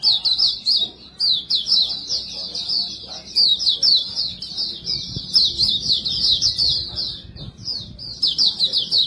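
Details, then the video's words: Montanus white-eye with a white breast gives extended lure song: quick, high, tumbling chirps in long runs with short gaps, over low background noise. "Burung Pleci Dada Putih | Pleci Buxtomi | Pleci Montanus Bocor cocok untuk pancingan"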